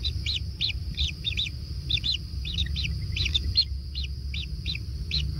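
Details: Nestling kingfishers at a natural nest during feeding, calling in quick, arched high chirps, sometimes doubled, repeated at an uneven pace over a low, steady rumble.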